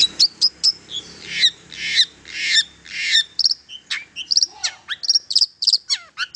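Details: Long-tailed shrike song aimed at rousing silent shrikes: several harsh, rasping bursts, then a rapid run of high chirps and thin whistles.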